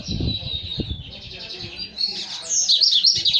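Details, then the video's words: Lined Seedeater, a young male coming out of moult, sings a high, rapid rattling trill, then sharper falling whistles in quick series, with low thuds and murmuring noise beneath. "Bigodeiro promessa saindo de muda"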